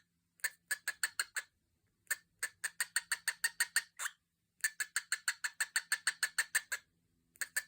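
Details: Pet cockatiel making weird noises: rapid trains of sharp, dry clicks, like a ticking clock, in bursts with brief pauses.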